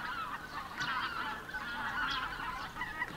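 Greater White-fronted Geese give a busy chorus of high, yelping honks, several birds calling over one another in quick, overlapping bursts.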